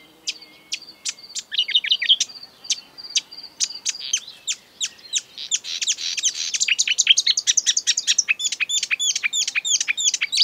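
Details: Exuberant marsh warbler song, an imitator of European and African birds: scattered sharp high ticks build into a dense, fast, chattering medley of buzzy and whistled phrases.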